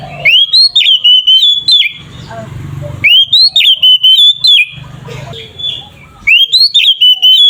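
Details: Oriental magpie-robin delivering ngeplong, aggressive fighting song to stir other magpie-robins: three loud phrases of fast rising and falling whistles, each about a second and a half, with low hum and soft noise between them.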